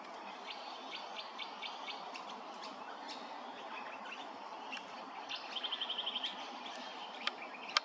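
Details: A Grey-crowned Babbler at Hervey Bay, Queensland, gives short, sharp high chirps, then a quick run of about nine even notes, over a steady hiss of background noise.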